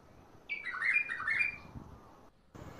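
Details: Bulbul delivering a Mandali-Badra style phrase: a single long, wavering, slurred warble lasting about a second, followed by quiet and one sharp note at the very end.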